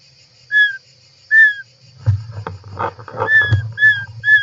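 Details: European roller nest, inside-camera recording from 18 July 2024: two clear falling whistles, then more whistles mixed with loud rustling and scraping of birds moving in the nest.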